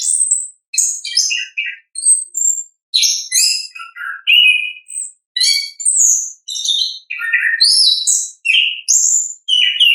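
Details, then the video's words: Continuous orange-headed thrush song in the ngeplong manner: quick, varied, high phrases of chirps, buzzes and slurred whistles, pouring out almost without pause over ten seconds in a quiet setting. "ANIS KEMBANG GACOR, pancingan suara asli alam anis kembang"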